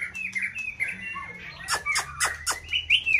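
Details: White-rumped shama kept for singing contests gives short slurred whistles, then a run of sharp clicking notes, and ends on a rising squeaky phrase.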